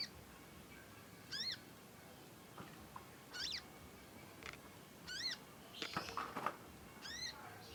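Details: Juvenile conin practising its song with long chirping: spaced, ringing, arched chirps every second or two, interrupted by a brief burst of handling or scratching noise.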